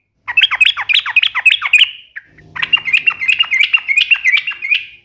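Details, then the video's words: Yellow-vented bulbul (trucukan) in energetic gacor song, uplik nembak ropel tajam style: rapid bubbly, slurred whistled phrases in quick runs, one brief pause, then another dense chattering run. "trucukan gacor UPLIK NEMBAK ROPEL TAJAM"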